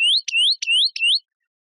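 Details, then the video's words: European greenfinch: four rising whistled notes in quick succession, each separated by a short sharp click, then silence. "Carduelis Chloris Verderon song"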